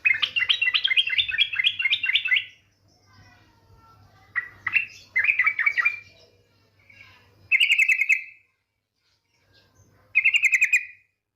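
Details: Lure call of a female yellow-vented bulbul, a rapid chattering run first, then brief chatters and two short rattling trills, each under a second, separated by pauses.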